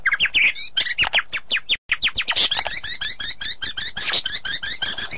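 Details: Loud, rapid white-rumped shama song, a cleaned therapy track for a shama that has gone quiet: steep sweeping notes, a brief pause, then a dense run of fast, high, buzzy trilled elements.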